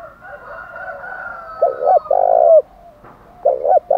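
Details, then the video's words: Spotted dove cooing in the 'thổ đồng' style to challenge rivals to fight: one full phrase of stuttering notes and a long mellow coo, then the start of another, over quieter doves. "cu gáy giọng thổ đồng chuẩn nhất, tiếng chim cu cườm THÚC đấu vang cả buôn làng, cu cườm gáy"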